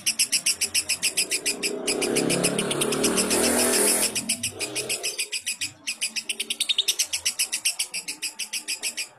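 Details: Lovebird song used as tutoring audio for other lovebirds: fast, even series of high, harsh chirps, about three or four a second, interrupted midway by a burst of loud broadband rushing noise, then resuming.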